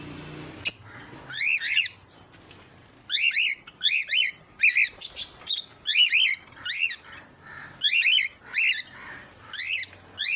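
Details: Thirty-year-old male African grey parrot at the Knoxville Zoo doing impressions: a rapid run of bright arched whistled chirps, paired and repeated with short gaps, after a sharp click and some low rumble at the start.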